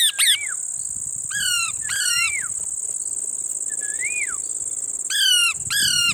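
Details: Parrot eating lemon gives scattered raspy, downward-sweeping squawks, some in quick pairs, and a few soft rising-falling whistles between them, over a constant shrill insect hum.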